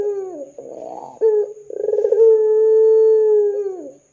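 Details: Ringneck dove, 'gacor dor' lure call to make other doves respond: a falling note and soft burr, a short hoot, then a rapid rolling stutter opening into a sustained deep coo of about two seconds that bends down at the end.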